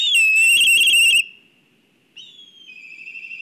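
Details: Black kite agitated at the nest in Kurzeme, Latvia, on a live nest camera. A loud, harsh, warbling call with rich overtones lasts about a second. After a silent gap, a thinner, wavering trill begins and carries on.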